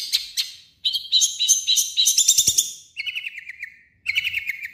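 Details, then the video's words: Long-tailed shrike mimicry song: buzzy high bursts, then a fast rolling warble of repeated notes, a lower steady trill, and a final burst of rapid chatter. "MASTERAN BURUNG CENDET"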